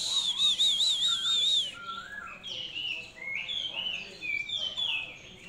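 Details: Hand-reared Oriental magpie-robin delivering a wavering, trilled whistle, then a run of varied short slurred notes and chips, rich and melodious throughout.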